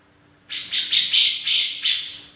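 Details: Grey-cheeked bulbul (cucak jenggot) calling vigorously: one short run of six loud, rasping, noisy notes, evenly spaced and slightly slowing toward the end, over a faint low hum.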